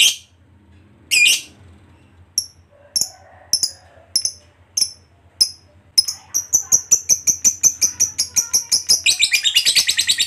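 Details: Fighter lovebird starting with scattered sharp, high chips that speed up into a quick, buzzy rattle, used to coax other lovebirds into their ngekek song.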